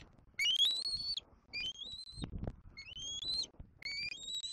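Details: A young bald eagle begging to its mother at a Southwest Florida nest one April afternoon in 2024. Long, drawn-out high squeals climbing in steps, four phrases with a short low thump between them.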